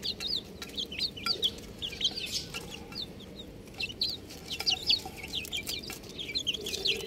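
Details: Young chickens chirping as a group: bright, thin peeps, sharply falling in pitch, arriving in quick clusters with brief pauses, over low rustling background.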